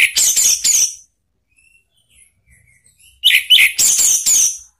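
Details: Orange-headed thrush song used as a lure to make a pet bird answer: two bursts of rapid high chattering notes with harsh broadband strokes, separated by a quiet gap with faint distant chirps.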